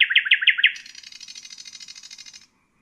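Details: Nightingale song used for teaching young birds: five loud, rich chopped notes followed by a long, fast, buzzy rattle of tiny repeated clicks that fades and stops abruptly.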